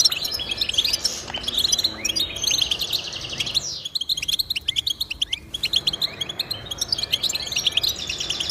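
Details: Lively goldfinch twittering offered as song motivation for pet birds: busy chattering phrases, a quiet gap midway, then renewed rapid high chirping and tinkling notes.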